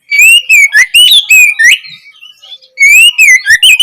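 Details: Opening song phrase of an Oriental magpie-robin, used as study material for young birds: clear rich whistles that waver up and down in quick linked notes, a brief pause midway, then the same whistled pattern resumes.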